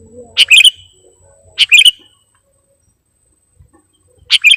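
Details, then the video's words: Sooty-headed bulbul call played to lure wild birds: three short, bright chirpy phrases of several quick notes each, the first two a second apart, then a long pause before the third, in quiet surroundings. "Mp3 Suara Pikat Burung Kutilang Gacorr"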